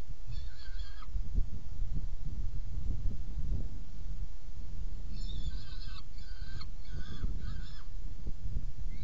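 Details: Saker falcon nest box at feeding, 17 June 2018, 10:31. A few rough, scratchy notes open the clip, then after a pause comes a short group of four more, partly masked by loud low rumbling.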